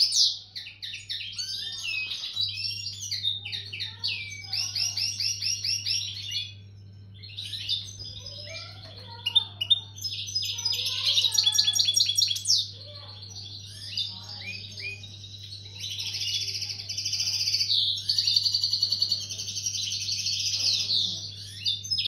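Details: A European goldfinch in breeding condition sings a fast, tinkling twitter mixed with buzzy, trilled phrases.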